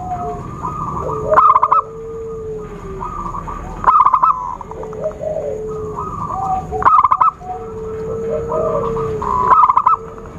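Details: Zebra dove trapping lure: four loud bursts of rapid staccato coos, roughly every two and a half seconds, over gliding whistles from other birds and a steady faint whine.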